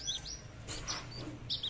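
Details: A tame captive Horsfield's bush lark of the "aliena" type from Papua, hung up to sing, gives thin, high chirps and short whistled slurs in quick, very loud bursts with no low notes, over faint room noise.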